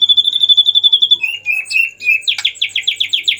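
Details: Agitated white-rumped shama, used as a lure so other shamas begin singing: a high, rapid trill that steps down in pitch, then louder, coarser pulsed notes repeated about six times a second.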